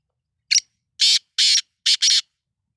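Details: Black francolin (kala tetar), described as a Sindhi nassal tetar kept as a pet, calling loudly: a burst of five harsh, rasping, grating notes over about two seconds, a short first note, then longer ones, the last two run close together.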